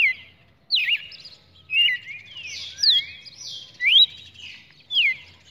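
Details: Red-cowled cardinal singing on 23 June 2019: short clear whistled phrases, some sliding up and others dropping, repeated about once a second, with a faint low hum underneath.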